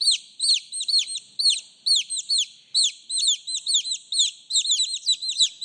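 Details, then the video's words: Calling for the mother hen, young chicks give piercing, descending cheeps in uneven bursts, several voices overlapping, ending with a soft knock. "TIẾNG GÀ CON KÊU, GÀ CON GỌI MẸ"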